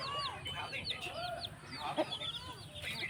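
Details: Farm chickens with chicks calling in a rooster farm, a scatter of high, curved peeps roughly once a second or faster, overlapping, over constant low machinery-like hum.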